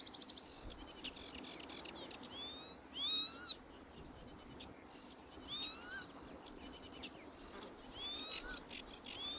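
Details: Northern lapwing chicks foraging; high upslurred whistled calls rise sharply, repeated a few times amid bursts of dense, rapid buzzy chattering from other birds.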